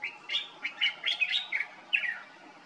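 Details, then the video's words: Common bulbul in Morocco in summer, heard singing every morning: short chattering phrases of warbled, slurred notes, several quick bursts over under three seconds with faint background hiss. "Common bulbul sound in Morocco, (Pycnonotus barbatus), bird song"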